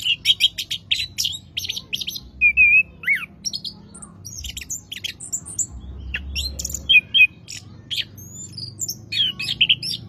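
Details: Orange-headed thrush, a hobby songbird, singing a rich, varied song: rapid bursts of high chirps and buzzy notes, short slurred whistles and a sharp downward note, delivered in quick phrases with brief pauses and low background hum.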